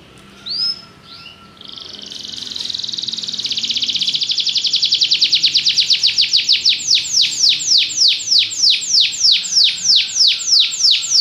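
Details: Belgian canary singing after a brief chirp: a soft trill swells into a loud, fast rolling trill that gradually slows into distinct, repeated descending whistled sweeps.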